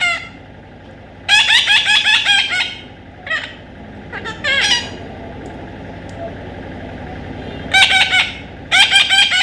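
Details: Baby parrot with bursts of scratchy, stacked squawks separated by gaps, some short and some longer runs, against a faint constant background noise.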